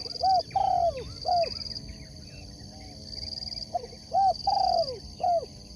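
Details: Competition sport dove, a Spotted dove, cooing in two matching phrases: quick rising coos leading into a prolonged quavering note and a closing coo, separated by a short quieter stretch. Constant high insect buzz behind.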